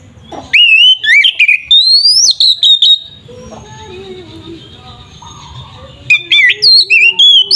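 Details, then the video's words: Kacer (Oriental magpie-robin) in loud ngeplong bait song to provoke rival birds: sharp rising whistles and slides, a long held tone, a quieter gap with low murmuring, then a fresh series of clipped whistled phrases. "Suara burung Kacer gacor paling efektif untuk pancingan kacer"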